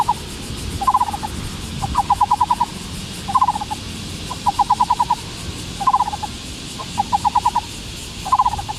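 Black-browed barbet giving low, hollow, rapid notes in short runs of five or six, alternating with brief two-note bursts, repeated every second or so over a faint hiss.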